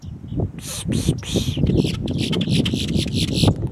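Boat-tailed grackle giving three harsh, raspy bursts, then a fast run of clipped, scratchy notes over a low background rumble.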